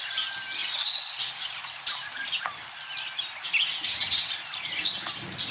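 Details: Caged budgerigars chattering together: dense, high-pitched twittering and scratchy chirps overlap throughout, with short sharp bursts and warbled notes rising and falling. Faint rustling is heard beneath the steady chatter.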